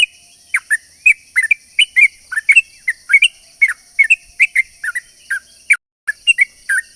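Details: Yellow-vented bulbul song, described as a long rapid-fire lure to draw other bulbuls: short bubbly chirping notes around two kilohertz, fast and uneven, over a steady high-pitched electronic-sounding whine.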